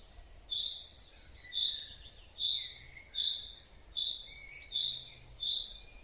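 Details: Common chaffinch calling in a forest, an unusual call the recordist first took for another species: a bright high note repeated steadily about every second, seven times, with faint lower whistles between and quiet background.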